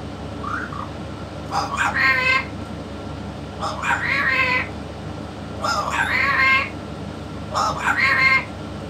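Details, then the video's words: Yellow-naped amazon, described as one of the finest parrots, speaking. Four clipped, nasal, word-like bursts with stacked harmonics come about every two seconds, each preceded by a short rising note, over steady room hum. "ببغاء الامزون اليلوناب الملك يتكلم"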